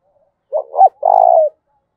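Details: Spotted dove giving its fight-inciting 'giọng thổ pha' call: a short two-part coo, then a long steady throbbing coo that falls slightly at the close, with a faint click in the middle.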